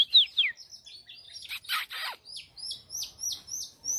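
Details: Female white-rumped shama used to stimulate fighting birds, singing bright falling whistles, a burst of harsh rasping notes, then a series of short clear downslurred whistles repeated about every third of a second.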